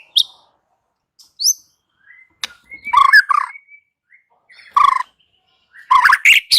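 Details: White-rumped shama producing scattered high chirps and short harsh, chattering notes with quiet gaps between them.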